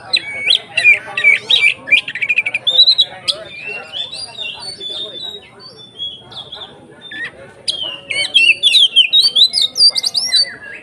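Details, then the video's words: Indonesian Oriental magpie-robin singing continuously, its song played to stir other magpie-robins: bursts of sharp, high, varied whistles and rapid chattering phrases, a quieter stretch in the middle, with faint voices. "SUARA BURUNG Kacer konslet NGEPLONG untuk PANCINGAN KACER supaya lebih EMOSI"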